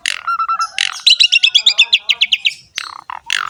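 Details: Asian pied starling (jalak suren) in energetic gacor ngerek song for coaxing other starlings to call: a short low whistle series, then a fast sequence of about fourteen bright chipping notes and rough squawks.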